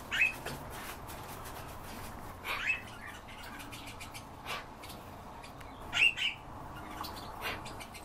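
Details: European bee-eaters calling: short rolled, trilling notes come in bursts every one to three seconds, some doubled, over constant low background noise.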